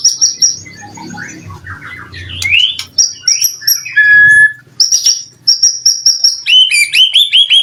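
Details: White-rumped shama song meant to make other shamas reply: very high sharp trills and buzzy notes broken by gaps, a clear downslurred whistle, and repeated rising whistles near the end.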